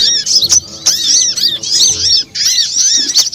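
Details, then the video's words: Piercing sunbird chatter from a bird-attracting lure track (burung madu: konin, kowul, korlap, sogon): bursts of squeaky arched notes about every half second, separated by brief gaps, plus scattered clicks and a soft low hum. "suara pikat ampuh burung madu (konin_kowul_korlap_sogon)"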